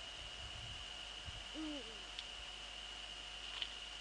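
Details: Eurasian eagle-owl in the Netherlands, 15 February 2013 at 04:40 at night, a male visiting the female near the nest: one short wavering, harmonic hoot-like call midway, over a steady high electronic whine and faint low thumps.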